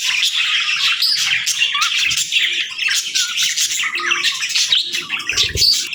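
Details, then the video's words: Pet parakeets and lovebirds chirping as they stretch and greet the morning, many birds calling at once in bright twittering bursts, with a brief low thud near the end. "Parakeet Morning Routine 🌞🦜 | Lovebirds Sounds for Lonely Birds 💛🐥"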